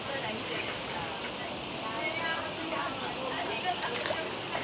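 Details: Kingfisher call: three piercing, very high single notes, each short and sharp, separated by gaps of about one and a half seconds, with continuous hissing noise behind.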